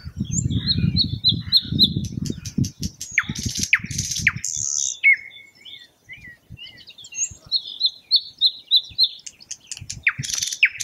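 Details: Thrush nightingale singing: a varied phrase of repeated high chirping notes, sharp clicking and rattling bursts and short whistled slurs, pausing briefly midway before more rapid repeated notes; low rumbling noise underneath at the start.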